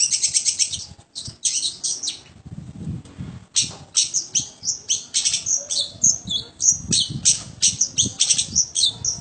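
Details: A long-tailed shrike in a home setting gives fast, scratchy high chatter, with a low background rumble heard throughout, then a lively sequence of varied sharp notes.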